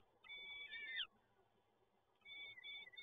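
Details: Peregrine falcon chicks being fed at Toruń, Poland, on 30 April 2022: one loud, strained, descending wail, a pause of steady hum, then another whining begging cry begins.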